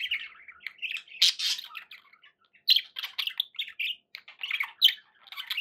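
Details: Pet budgerigars chattering rapidly, mixing squeaky chirps, rasping notes and clicks in a steady, lively flow with a couple of louder harsh bursts.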